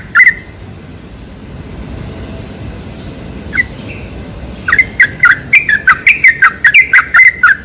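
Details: Sooty-headed bulbul sounds used as a lure to draw bulbuls and get them singing: a brief chirp, a quiet gap, then a rapid run of short bubbly, slurred notes repeated several times a second.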